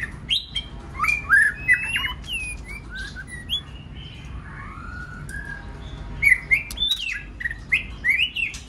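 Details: White-rumped shama in varied song, used to provoke other birds to sing; quick clusters of whistles, trills and chips, a quieter softer stretch in the middle, then loud rapid phrases again.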